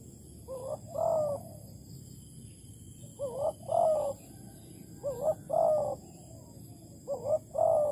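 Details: Spotted dove recorded in Malaysia on 11 August 2020 during bird trapping with a decoy; four soft two-part coos, a short rising note then a longer mellow hoot, repeated about every two seconds over a low steady hum.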